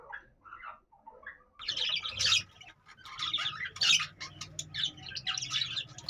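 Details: After a few soft chirps, caged budgies burst into loud, scratchy, high warbling and squeaks that run on steadily over a low background hum.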